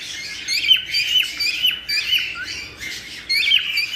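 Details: Cockatiels singing to prompt mating: quick, repeated high chirps with short downward-sliding whistles, overlapping in lively bursts that rise after a quieter opening.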